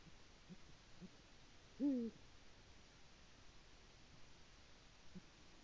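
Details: One deep, falling hoot from a male Eurasian eagle-owl as he arrives at the nest calling his partner, 22 February 2018, nest live-stream recording with quiet background hiss.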